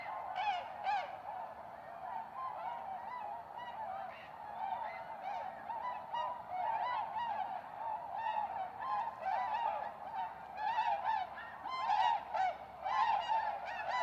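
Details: Tundra Swans call from a large flock in spring, March 2016, at Goose Pond, Columbia County, south-central Wisconsin, USA, where they return each spring: a continuous chorus of mellow, high, hooting whoops overlapping without pause.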